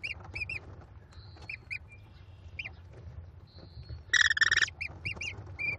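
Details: Five American kestrel nestlings at a Cornell nest, 18 May 2021, being fed by their mother. Rapid thin chirps and faint whistles lead to a loud rasping burst, then more short chirps.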